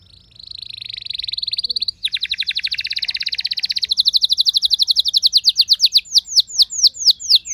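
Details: Domestic house canary, usually not very vocal, answering another singer with a long roll: a high buzzy trill, then a rapid train of repeated notes that slows into widely spaced, sharply falling whistled sweeps.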